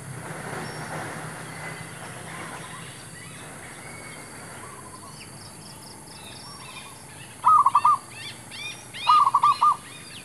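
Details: Male zebra dove used to lure wild birds during trapping. After quiet noisy seconds with faint coos, two loud rolling multi-note coo phrases, while other small birds chirp in high, rapid notes.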